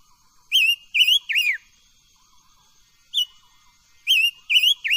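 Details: Silver-eared mesia singing for voice training: repeated three-note whistled phrases, each note curving up then down, separated by a single short whistle and brief quiet gaps.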